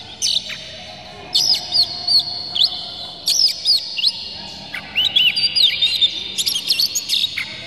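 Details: Oriental magpie-robin singing an aggressive, tail-spreading song used to provoke other magpie-robins into singing: bursts of bright, sweeping whistles and sharp chirps in short phrases separated by brief pauses, with a faint low background hum.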